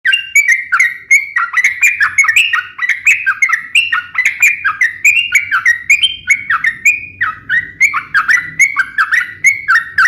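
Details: Sooty-headed bulbul singing energetically, a recording used as a lure and for training other birds: a steady run of short whistled notes that alternately rise and fall, several per second, with sharp clicky edges and no other sounds.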